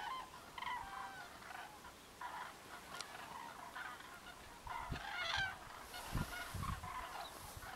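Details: Common cranes feeding in a winter field, pecking here and there, give loud trumpeting, honking calls. Several birds overlap in bursts every second or so, with a few low thumps and a background rush.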